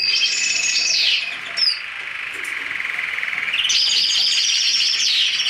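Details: Hybrid of black-headed siskin and canary singing long, fast rolling trills that slide down, a brief pause with a sharp chip, then another extended rapid trill rising slightly.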